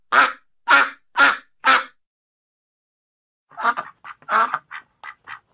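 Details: Duck quacking: four loud, harsh, evenly spaced quacks about half a second apart, then a pause and a looser run of shorter, softer quacks and clucks.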